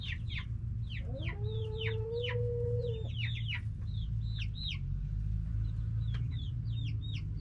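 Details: Backyard chickens, hens and roosters: a sustained, rising, mid-pitched call holds steady for about two seconds amid a chorus of short, high, falling chirps, with a constant low rumble throughout.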